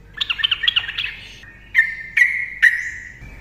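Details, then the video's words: Rapid ropel song of a Yellow-vented bulbul meant to make silent birds sing; a quick bubbling phrase followed by three separate sharp whistled notes, each trailing into a steady tone. "TRUCUKAN GACOR NARUNG ROPEL cocok untuk pancingan burung TRUCUKAN DIAM"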